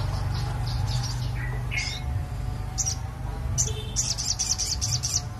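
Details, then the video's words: Crested jay kept as a lure bird for bird trapping. It gives scattered sharp high chirps, then a quick run of repeated high chirps near the end, over a heavy steady low hum. "SOGON GACOR PIKAT BURUNG"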